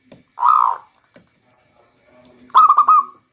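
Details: Local zebra dove, offered as a rainy-season lure: one smooth, drawn-out coo followed after a pause by a quick stuttering run of four or five rolling coo notes, with a faint low hum beneath.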